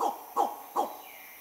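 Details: A spot-bellied eagle-owl in a southern Indian jungle, near a hornbill nest, curiously approaches a photography hide and gives three short, falling hoots about two fifths of a second apart, against a quiet forest hush.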